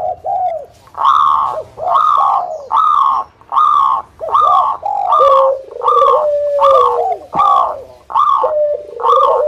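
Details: Local zebra dove in strong song, used to lure other zebra doves into calling: loud, regular hollow cooing notes repeated about every 0.8 seconds, with a few longer, level, whistled tones near the end.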